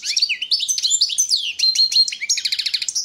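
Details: European goldfinch of the Balkan subspecies Carduelis carduelis balcanica, recorded for a 2022 online world championship in goldfinch song held in Serbia: a fast, jingling twitter of bright high notes, buzzy trills and sliding whistles, with a quick rattling run near the end.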